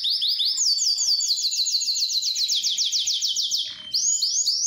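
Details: Excited canary singing and wanting to mate: fast series of repeated downward-sweeping high notes in long trills, switching between tours, with a short break near the end before a new phrase.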